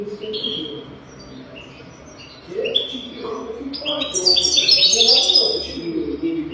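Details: Young goldfinches' tutor song from a European goldfinch: soft whistled notes at first, then a loud, tumbling high twitter, with low murmuring sounds running underneath throughout.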